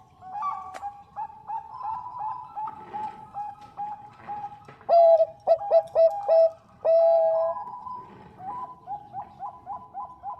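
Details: Female Bangkok-type zebra dove calling for a male: a long stretch of gentle cooing, a loud series of five clear short coos plus a held note, then a rapid run of soft coos.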